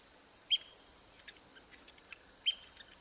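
Red-cockaded woodpecker giving two short, high, nasal call notes about two seconds apart, with faint chirps from other birds in between.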